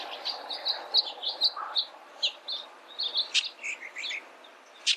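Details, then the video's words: Bullock's oriole singing a lively string of short, high, chirpy notes, roughly two or three per second, with a few sharper accented notes toward the end; the background is otherwise quiet. "Bullock's Oriole Bird Sound, Bird Song, Bird Call"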